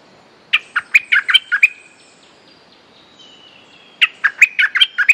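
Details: Streak-eared bulbul, holder of its territory with a fierce song, sings two rapid runs of about seven bright, chirping notes each, separated by a pause with a faint drawn-out whistle.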